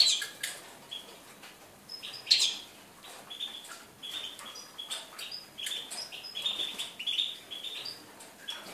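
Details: Quiet, fairly distant European goldfinch song from 4 February 2018, a rambling string of thin twittering notes and short trills mixed with scattered clicks.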